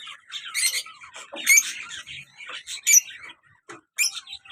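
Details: Pair of caged lovebirds, colour male and black-mask female, playful: bursts of raspy, high chirping notes in uneven groups, with several sharp loud squeaks spaced about a second apart.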